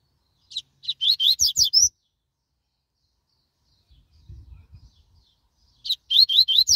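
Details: Double-collared seedeater, described as fast and strong, giving two bursts of rapid ringing chirps separated by a few seconds of near silence with a soft low rumble between them.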